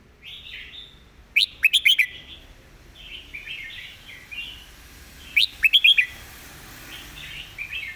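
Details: Red-whiskered bulbul repeating its master song: two bursts of four loud, quick, sharp notes about four seconds apart, with softer chattering warbles in between.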